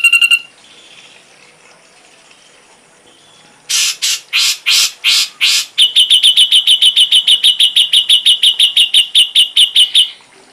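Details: Ashy drongo song used as a tutor recording for songbirds: three harsh buzzy bursts, then a fast, even run of about twenty sharp high notes repeated several times per second, with a brief whistled note at the start.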